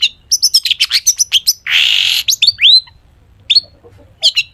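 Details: Long-tailed shrike pouring out a medley of imitated notes to prompt other shrikes to answer: a rapid string of high chips, a long harsh hiss, a bright upslurred whistle, then sparse sharp notes in near silence.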